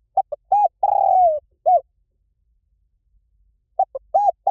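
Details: Spotted dove singing the Liu Tan pattern, used as playback to make a trained dove counter-sing: short coos and a long rolling, gently falling coo, then a pause and the phrase beginning again.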